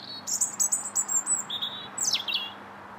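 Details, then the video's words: Winter song of a European robin in Linear Park, Bath, January 2017: a rapid run of high sweet notes, then a level whistle and a steep descending slur, all bright and clear. "Still the Robin Sings"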